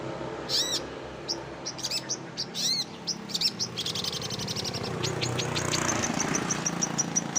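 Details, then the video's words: Compiled songbird sounds for training contest birds: a few arched whistled notes with sharp chips, then a fast, regular series of high ticking notes that runs on over rising background hiss. "MASTERAN SUARA KOMPILASI BURUNG LAIN - MASTERAN BURUNG LOMBA"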